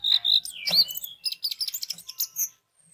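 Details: Orange-headed thrush singing as a lure for others of its kind: a rapid, varied run of high whistles, slurred notes and sharp chirps tumbling together for about two and a half seconds.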